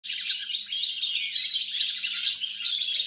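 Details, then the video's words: European goldfinch song recorded on 29 December 2022: a dense, continuous run of bright, liquid twittering and tinkling notes with no pauses, and no other clear sounds. "GOLDFINCH SONG"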